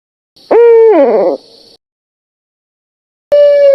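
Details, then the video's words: Barred owl producing a steady, nasal wailing hoot that breaks into a wavering, falling tail, followed after a pause by the start of another long hoot; a faint steady hiss runs beneath. "Bard Owl calls with intermission between calls."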